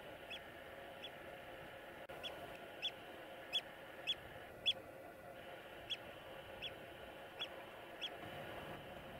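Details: Eurasian oystercatcher recorded in Iceland: brief, clipped high peeping notes spaced roughly every half to one second, a few louder ones in the middle, with constant wind-like rushing noise behind.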